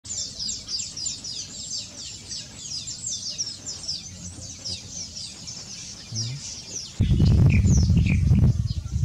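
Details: A large nesting colony of weavers and bishops in reeds at Nguuni gives dense, continuous high chattering and sizzling chirps, with a loud low rumble of wind or handling noise covering the last two seconds; Golden palm weaver.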